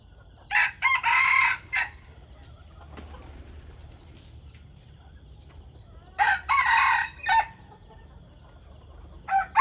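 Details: Roosters crowing in the morning, two loud, harsh, drawn-out crows a few seconds apart, each broken into rising and falling segments, with a third crow starting at the end over a low steady background hum.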